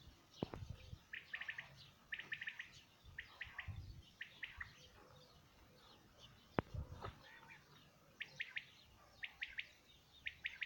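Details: Quail singing in 2019, giving crisp three-note phrases about once a second in a regular series, with a sharp click and faint low background noise.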